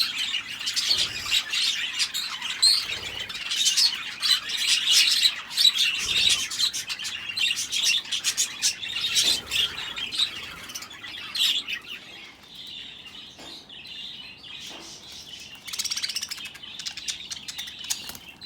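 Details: Several budgerigars taking a bath chatter in fast, high-pitched chirps and warbles, with bursts of splashing water.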